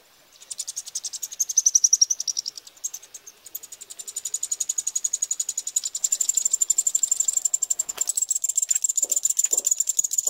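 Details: Eurasian wryneck nestlings during feeding, recorded 2 July 2018 at Pribytki, Russia: a continuous high, harsh buzzing series of fast pulses that starts after a brief silence, swells and keeps going almost without a break.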